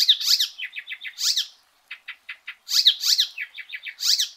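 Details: Song of the Icterine warbler (Hippolais icterina), kerak basi eropa. Loud harsh chattering bursts alternate with fast series of short ticking notes. The whole chatter-and-tick pattern repeats after a brief silence.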